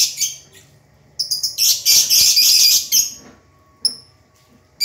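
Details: Captive lovebirds, some chattering loudly while others rest or sit in pairs: harsh, dense screechy chatter in a loud burst lasting over a second, then a few sharp separate chirps.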